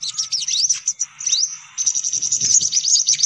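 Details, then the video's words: Sunbirds calling in a lure meant to attract sunbirds: high chirps with a few long downward-sweeping whistles, a brief lull, then dense rapid twittering. "Suara Pikat Burung Kolibri Paling Manjur"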